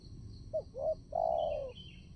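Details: Trapping decoy spotted dove giving one clear cooing phrase, a clipped note and a rounded note, then a long loud descending coo, with faint high chirping in the background.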